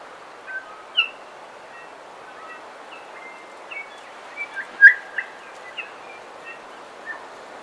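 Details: Bellbirds in a coastal dawn chorus, song and calls, some close by: scattered clear, bell-like notes and short whistles, one ringing louder near the middle, over a steady wash of surf-like noise.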